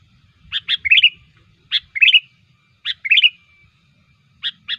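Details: Lure song of the sooty-headed bulbul for catching birds: clear chirpy notes, then a short tumbling warbled flourish, the pattern repeated three times at roughly one-second spacing, ending with two lone chirps in quiet surroundings.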